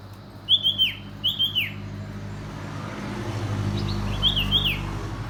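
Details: Common iora calling in short phrases of three or four clipped high notes, each note sliding sharply downward, two loud phrases then a fainter one, over a steady low hum of traffic.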